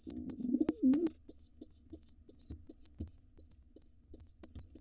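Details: A wild pigeon nest box under takeover by an intruder male that attacks the young. A short burst of low cooing opens, followed by evenly spaced high, thin peeps about three per second.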